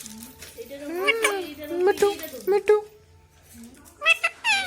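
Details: Rose-ringed parakeet mimicking speech with slurred, wavering syllables and gliding tones, then a sharp rising squawk near the end.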